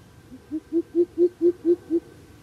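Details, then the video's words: A wild coucal fighting with a decoy coucal, the two squaring off like fighting chickens, gives a quick series of about eight deep, hollow hoots, swelling slightly at the start and running evenly four to the second. "Bìm bịp cự nhau như gà vậy"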